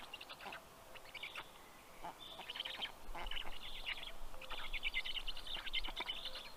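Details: Black stork chicks at a nest in Karula National Park, southern Estonia, greeting the adult male as he brings fish, late morning on 11 June 2023; rapid bursts of high chattering calls, uneven in rhythm, over a low steady rumble.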